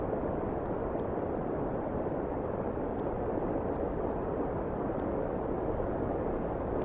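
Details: A constant roar like wind or rushing water fills the scene, with a few faint ticks and no animal voice.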